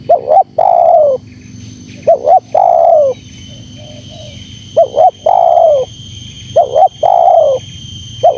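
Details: Spotted dove (terkukur) calling steadily to lure birds: repeated phrases of a double note followed by a prolonged, dropping coo, about every two seconds, with a faint soft warble between phrases.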